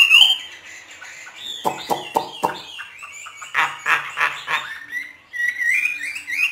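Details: Hwamei in training by northern Vietnamese keepers, free 'hót thả' singing: a high whistled opening, then harsh broadband clacks and rattling bursts, closing with thin rising whistles.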